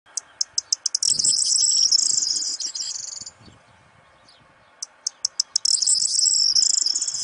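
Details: Corn bunting male singing close up during the breeding season to attract a nearby female: two high jangling songs, each opening with separate ticking notes that speed up into a dense, glittering rattle about two seconds long, with a quiet pause between them.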